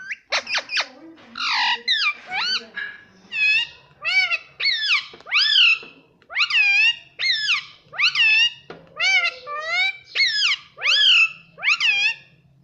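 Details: Talking pet parrot, said to repeat "Mummy Mummy" and "Mitthu mitthu". It gives a steady string of about a dozen loud, arched, harmonic calls, spaced roughly every second, after some quick sharp notes at the start.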